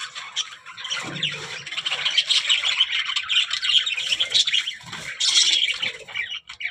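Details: Talking budgerigars keep up steady, gravelly warbling chatter with interwoven chirps and squeaks, swelling into a louder burst late in the sequence.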